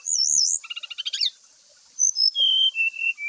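A White-rumped shama sings loud, high whistled phrases: a looping whistle, a quick burst of rattling chips, then a run of clear falling notes.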